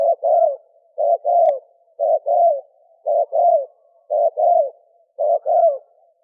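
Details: Spotted dove male calling to draw in females, repeating a steady hollow coo phrase about once a second: a short note followed by a longer, downslurred one, very regular, in a quiet setting.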